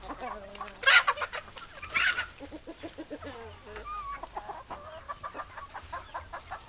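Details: Chickens, hens clucking with a couple of loud harsh squawks near the start, then a quick series of short clucks from several birds; no full crow is clear.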